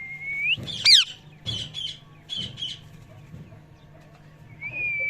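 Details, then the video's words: Parrot chirping with a rising whistle, a loud downward squawk, then a run of scratchy chattering notes, ending on another drawn-out whistle. "Parrot Natural Chirping Sounds"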